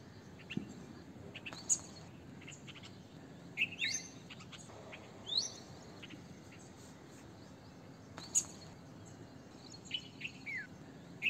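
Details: Red-vented bulbul with sparse, thin chirps and quick rising whistled notes at irregular intervals, a few clustered near the end, against faint background hiss.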